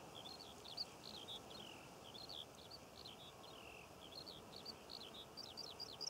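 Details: Skylark song above poppy fields in Cornwall, recorded June 2014. A continuous, fairly quiet babble of high chirps that turns brighter and more staccato toward the end.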